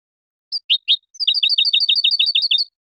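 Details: European goldfinch singing: three separate high chirps, then a fast, even run of about a dozen bright, twittering notes repeated rapidly at a high pitch, clean with no background sounds.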